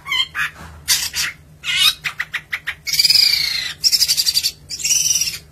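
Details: Long-tailed shrike in vigorous song: a varied run of harsh, grating notes and fast stuttering rattles, then longer buzzy, scratchy phrases with rapid trilled pulses.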